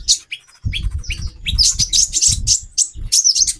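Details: A female konin (kolibri ninja) calls for male arousal: high, squeaky chirps and short slurred whistles in quick bursts, over noticeable low rumbling and knocking background noise.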